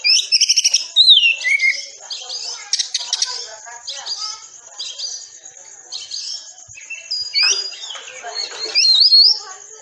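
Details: Oriental magpie-robin delivering a packed 'tembakan rapat' training song for caged birds: continuous chatter of high whistles, rattles and buzzy notes, with clipped bursts at the start and swooping whistled phrases toward the end.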